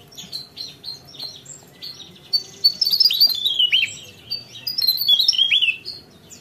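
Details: Javan tesia (Tesia superciliaris) in full 'gacor ngerol' rolling song: rapid high thin chirps and sharp downslurred whistles in dense tumbling bursts, busiest after two and a half seconds, over a faint low steady hum.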